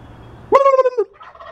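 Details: Fighting wild turkeys with coyotes in the background: one abrupt, loud gobble of fast rattling pulses lasting half a second, then fainter gurgling calls trailing off.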